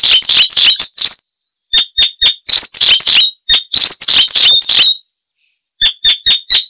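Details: Bursts of loud, chattering Icterine warbler song rich in mimicry: scratchy descending notes and crisp high chirps in clusters, separated by short silences.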